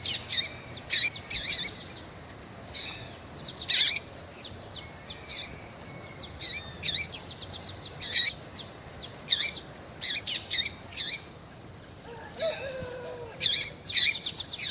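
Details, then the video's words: Hen double-collared seedeater calling persistently to excite a male. Dense series of piercing high chirps and rapid ticking notes runs for about fifteen seconds with brief pauses, and a thin whistle is heard partway through. "FÊMEA DE COLEIRO QUENTE CHAMANDO MUITO FOGOSA E PIANDO"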